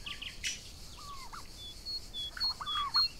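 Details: Young domestic turkeys, Royal Palm and Broad Breasted White, graze outdoors on a summer day. They give a few slurred, down-curving calls and short chirps, with a high whistling bird repeating in the background.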